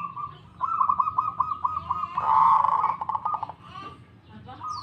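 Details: Local zebra dove answering at once: a soft coo opens, then a fast stuttering trill of bead-like notes swells to a loud rolling peak midway and fades. A short coo returns at the close.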